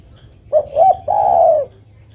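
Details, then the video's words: A female spotted dove calls the male with one phrase of two quick coos leading into a prolonged, smooth coo that drops slightly at the end. "Suara burung derkuku betina memanggil jantan."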